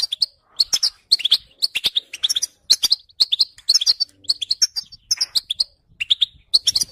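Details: Goldfinch singing a fast, tinkling twitter of high chirps and short trills in quick phrases separated by short gaps, continuous and cheerful over the whole recording.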